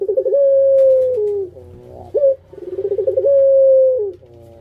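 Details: Kept Barbary dove singing the pelung coo twice: each phrase a fast stammering roll merging into a long, even, gently descending hoot that steps down at the end, with a short bright upslurred note between phrases.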